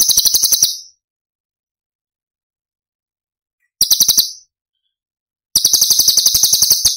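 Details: Cucak cungkok song for training songbirds: a short high trill, a long silence, another brief rattle, then a sustained bright buzzy run of fast even pulses.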